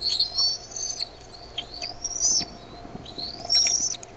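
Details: High-pitched bald eaglet calls at the Decorah nest, 6:35 PM CDT on 13 May 2015, as the mother brings food: strings of thin whistled notes that climb in pitch, with a few short down-slurred chips between.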